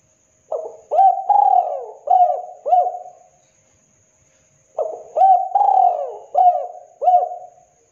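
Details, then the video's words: Local spotted dove calling energetically, two phrases of about five mellow coos each, every phrase holding one longer falling note, separated by a pause of about one and a half seconds. "Suara Burung Tekukur Gacor"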